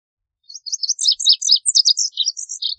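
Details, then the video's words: Lazuli bunting song: a rapid jumble of high, sweet chirped notes, some paired and slurred, jumping between higher and lower pitches for over two seconds, with no other sounds. "Lazuli Bunting Song! Lazuli Bunting Call! Sound! - Azulillo Lapislázuli Canto - Passerina Amoena"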